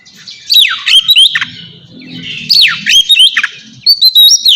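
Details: Captive-training ngeplong song of a white-rumped shama: loud whistled phrases with steep downward sweeps in bursts separated by short gaps, over a faint low hum.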